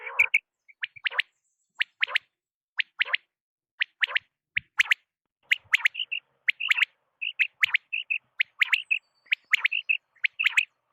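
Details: A quail (batair) giving its night call: sharp, high chirping notes, often in quick pairs or triplets, repeated every half second or so against an otherwise quiet background.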